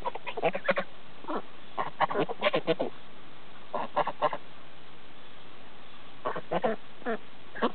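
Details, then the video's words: Geese kept on a farm in Lyndeboro, New Hampshire, giving short nasal honks in scattered bursts of two to four, separated by quiet gaps of about a second, over a low background hiss. "geese speak"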